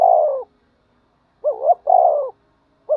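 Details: Spotted dove calling in a fighting-and-calling context: loud, low cooing phrases, a short two-part coo followed by a longer falling drawn-out coo, repeated with pauses between.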